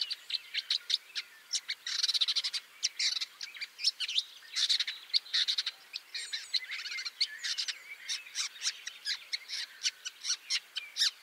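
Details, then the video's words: Woodchat shrike (Lanius senator) pouring out a fast, scratchy jumble of short chattering and chirping notes, with denser rapid bursts around two, five and seven seconds, against a quiet background. "THE WOODCHAT SHRIKE (Lanius Senator)"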